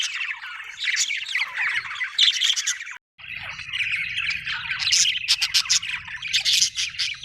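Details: Budgerigars chirping contentedly in a continuous squawky warble, a short silent break, then bursts of rapid clicking chirps over a low hum.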